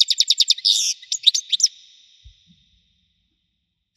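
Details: European goldfinch song labelled 'Widani': a quick run of bright chirps, a short buzzy burst, then sharp twittering notes that fade into a thin, sustained high tone, followed by near silence and one last chirp.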